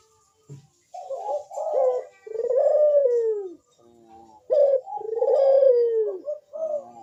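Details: Ringneck dove calling in the bekur style to get other doves cooing: rolling introductory notes leading into long descending coos, two full phrases, each followed by a quieter stuttering tail.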